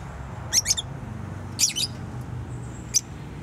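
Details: Pet bird kept indoors calls with scattered pairs of thin, high chirps separated by pauses, ending with a lone note, over low background hum.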